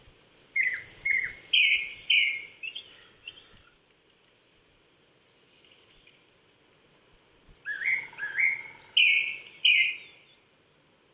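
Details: In Saitama Prefectural Forest at 800 m, Chichibu, Japan, an April morning Japanese thrush sings two phrases of quick whistled notes about seven seconds apart, with high chirps of other birds and a quiet gap between.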